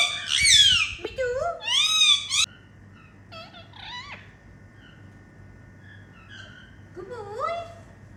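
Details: Pet Indian ringneck parakeets playing indoors: loud harsh squawks at the start, then quieter chattering and soft rising whistled notes, with a faint steady hum.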